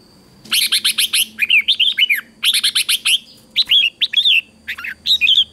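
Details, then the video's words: Red-whiskered bulbul competition song for training birds: dense, almost unbroken delivery of rapid harsh chattering notes mixed with fluty slurred whistles, fast bursts repeating over about five seconds. "Luyện Chào Mào Hót Đấu Ché"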